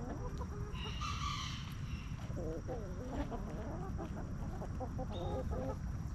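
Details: Backyard chickens relaxing in their coop on a homestead: a rooster gives a short, distant harmonic crow near the start, then hens cluck in quick low bursts against a steady low rumble.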